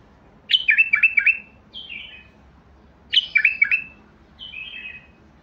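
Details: Basrawi bulbul (White-eared Bulbul) delivering two lively phrases of quick, jerky whistled notes, each trailing into a quieter falling slur, about two and a half seconds apart.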